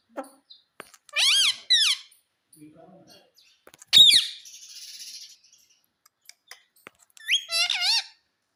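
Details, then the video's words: Pet talking parrot mimicking human speech indoors: several short harmonic, wavering utterances with sliding pitch, two quick ones near the start and a longer warbling phrase at the end, separated by quiet gaps with faint clicks. "Mummy Mummy Bolne Wala Parrot"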